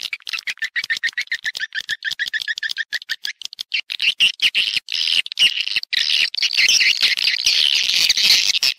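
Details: Swiftlet calling and roosting sounds, clean stereo: a fast run of short clicking chirps gives way to a dense, continuous high twittering chorus of many birds.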